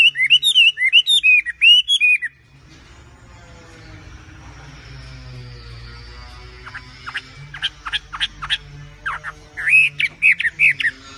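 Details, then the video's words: A tame wambi bird sings vigorously in quick looping whistles, falls silent while a steady hum and distant noise fill the middle, then returns with sharp high chips and more warbled phrases. "BURUNG WAMBI GACOR JINAK TOTAL"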